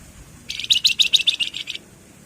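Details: Lively Javan fulvetta (flamboyan) giving a ngebren burst: a quick chain of about a dozen sharp, high chattering notes, slightly accelerating and then fading, over roughly 1.3 seconds.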